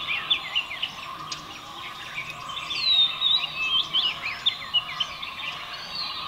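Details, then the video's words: Oriental magpie-robin singing: a varied run of clear, sweet whistles, quick slurred warbles and scratchy twitters, phrases tumbling without pause, over a steady low hum of insects or background noise. "Oriental Magpie Robin singing"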